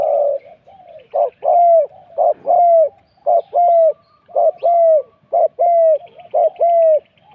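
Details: Thai spotted dove decoy session, spot 41: steady phrases of a short low note and a longer curving coo, repeated roughly every second over more than seven seconds, with faint distant chirps from other birds.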